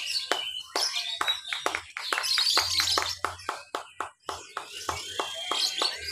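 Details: Caged lovebird at a practice singing competition in Mimika, Papua, on 31 October 2021, chattering long while creeping along the cage bars: rapid dry clicks and squeaky chirps about four per second, with faint talking and other birds behind.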